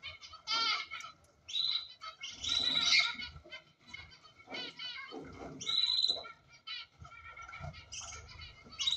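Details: Cockatiels kept as ornamental birds, giving loud, harsh, harmonic squawks and a few rising whistled calls spaced by short pauses, with softer chattering and low rumbling noise between.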